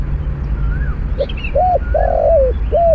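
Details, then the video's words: Spotted dove cooing during a trapping session that uses a snare cage and a decoy bird: a short note, then a run of mellow, arched low coos with one long drawn middle note, over steady low rumbling background and faint higher chirps. "ต่อนกเขาใหญ่ด้วยเพนียดบ่วง เจ้าเรียกจังEp2 บินไกลมาเหยียบไม่ได้คูสักคำ"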